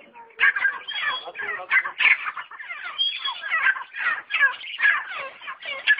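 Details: Partridge giving a continuous string of hoarse, grating chatter notes, bursts running almost without a break.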